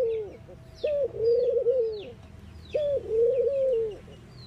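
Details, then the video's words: Soft, low coos of mourning doves, with two full phrases of a quick rising note followed by drawn-out wavering tones, about two seconds apart, over scattered high twitters of other birds. "Mourning Doves Make Noise"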